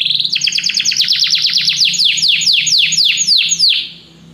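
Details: Canaries sing together after hearing music, pouring out a fast series of downward-sweeping whistles that slows gradually into wider, evenly spaced slurs before stopping.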